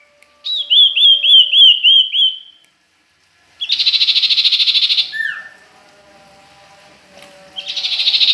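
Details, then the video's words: Bird named as sirtu or common iora (cipoh), recorded at Ajibarang, gives six quick, evenly spaced whistled notes. After a pause come long, dense, buzzy rattling trills, one ending in a brief downslurred whistle. "Suara burung sirtu,cipoh Ajibarang"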